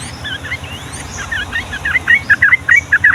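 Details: Yellow-vented bulbul in 'ropel' style song for tutoring young birds, starting softly with scattered chirps and building into loud, rapid, evenly spaced two-note phrases; faint high whistles behind.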